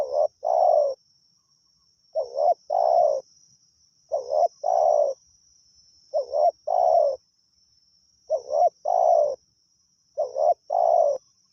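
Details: Wild spotted dove called to a decoy: a short double coo followed by a long, hoarse, purring croo, the phrase repeated six times about every two seconds over a steady high thin whine.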